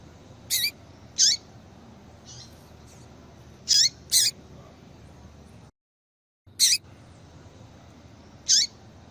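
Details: Piping call of a female yellow-bellied seedeater, used to make a male sing. Brief high notes with downward-slurred ends come singly and in close pairs, with one short silent gap partway through, against low background hiss.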